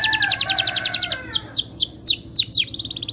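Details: Canary in rolling song, played as a lure to get reluctant canaries to answer and sing: a fast, even, buzzy trill, then a run of quick, high, downward-sweeping whistles repeated several times a second.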